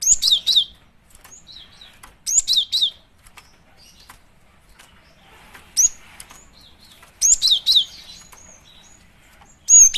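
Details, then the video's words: Female cinereous tit calls used as a lure: bursts of three or four sharp, very high chirps, repeated every two to three seconds, with faint rustling between bursts. "Pancingan suara burung gelatik batu betina"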